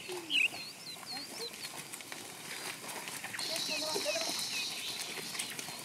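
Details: Mistle thrush (Turdus viscivorus) singing in an agro-ecological pasture, where it is said to be frequent: short, clear fluted whistles in quick, loose phrases over a busy background of other birds and faint farm sounds.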